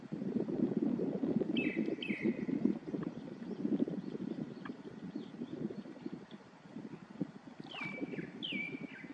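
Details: Two short groups of clear, downslurred whistles from a grey-backed thrush, one early and one near the end, over loud, continuous low rushing noise like flowing water or wind.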